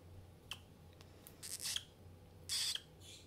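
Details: A female pet European starling, mildly annoyed rather than upset, complains while being given medicine indoors: two harsh, raspy, high screeches, each about a third of a second, with faint clicks between, over a quiet hum.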